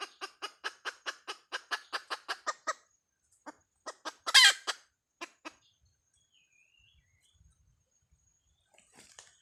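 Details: Hen clucking rapidly for nearly three seconds, then scattered single clucks around one loud harsh squawk, followed by quiet with a faint higher whine.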